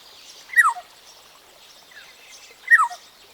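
Black-tailed Oriole giving two loud, slurred whistles that drop steeply in pitch, about two seconds apart, over faint background hiss.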